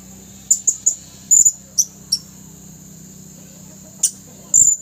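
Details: Red-throated male blue-crowned hanging parrot in a swaying cage, calling to wild birds at a trapping ditch on 27 August 2021; sharp high-pitched tsip notes in a loose cluster, a long quiet gap, then two more chirps.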